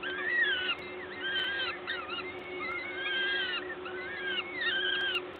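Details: Peregrine falcons during a feeding at the nest, Gdańsk LOTOS, Poland, 14 May 2022, 11:07; a dense run of thin, arched, wailing calls that rise and fall, overlapping almost continuously, over a steady low hum.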